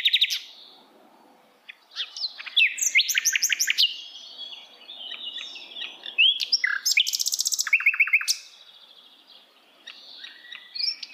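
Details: Hill blue flycatcher singing in the wild: a fast, varied warble of high chirps, sweeping whistles and trilled bursts in phrases separated by short pauses, with quiet background between phrases.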